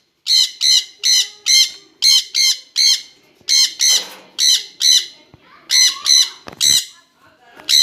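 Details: Two jenday conures together calling almost nonstop: a rapid run of shrill, raspy shrieks, often paired in quick doubles, with brief pauses and a little background voice noise.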